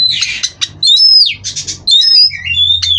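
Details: Song of a captive-bred Oriental magpie-robin: harsh rasping bursts alternate with clean upslurred and downslurred whistles, roughly one phrase per second.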